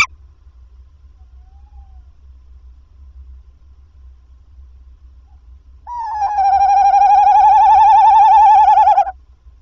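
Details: Tawny owl nest at 21:50, male arriving with a mouse after some calling. Several seconds of near silence with a faint brief note, then a loud, fast-wavering trill lasting about three seconds.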